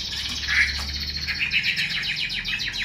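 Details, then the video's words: Caged female Chinese hwamei whose 'xùy' and 'te dụ' calls rouse males; steady rapid buzzy pulses with a few squeaky accents over a low background hum. "Họa mi mái xùy tốt, Te dụ rất hay. Vực lửa cho trống"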